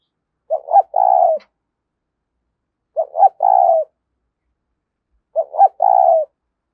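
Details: Spotted dove cooing in the 'thúc' style, played to bring wild doves in: three identical phrases about two and a half seconds apart, each a pair of short clipped notes followed by a longer steady coo.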